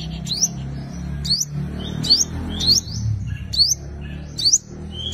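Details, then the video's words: Sunbird called five-coloured in Vietnamese, singing its contest song as a lure for wild birds: repeated upward-sweeping piercing chirps roughly once per second, set against a steady low hum. "Tiếng chim hút mật 5 màu dùng đi mồi đánh bổi - Tiếng chim hút mật 5 màu hót đấu"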